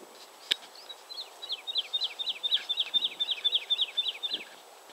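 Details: Woodlark (Lullula arborea) song recorded at 52.082475, 20.147128: a fluty run of about fifteen slurred notes, about four per second, over a faint outdoor hiss.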